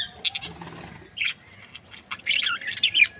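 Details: Happy breeding pair of Australian budgerigars giving short, scattered high chirps and a few squeaky warbled notes, with brief quiet pauses between bursts.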